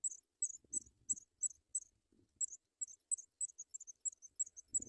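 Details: Begging from African pipit babies in a nest as parents arrive with white butterflies; sharp high twittering clusters repeat unevenly, with soft low rustles and thumps from the nest underneath.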